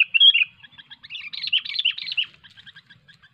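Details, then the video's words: Sooty-headed bulbul heard while luring birds for hobby, described as a 'cengkram over fighter' singer: a loud warbled opening note, then a bubbly chattering phrase of quick chirps, ending in a few soft, evenly spaced ticks. "Burung Kutilang Cengkram over fighter"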